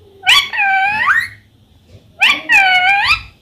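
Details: A pet talking parrot, described as saying "mummy", gives two separate voice-like phrases about two seconds apart. Each is a nasal, harmonic sound that starts sharply and then holds a level, slightly wavering tone for about a second.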